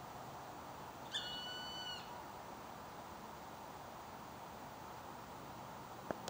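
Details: Northern goshawk recorded in Stockholm: one drawn-out, steady whistled note of about a second, rich in overtones and dropping slightly at the end, over a constant low background hum, with a sharp click near the close.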